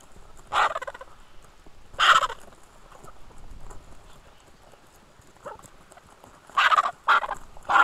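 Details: Griffon vultures at a feeding frenzy at the Hai Bar vulture feeding station in Israel, recorded 2 August 2021 by station camera; harsh, raspy hissing squabble bursts, short and spaced, loudest near the end.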